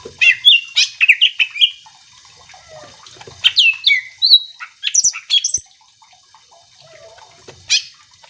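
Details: Greater green leafbird singing in a provoking manner to make other leafbirds respond: quick varied whistles and downward slurs in a dense run, then a quieter stretch with one loud harsh note.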